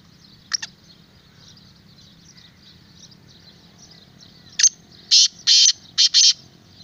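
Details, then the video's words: Black francolin gives one harsh note, then a loud grating phrase of four rasping bursts, over a steady high insect hiss. "Black Francolin kala Teetar"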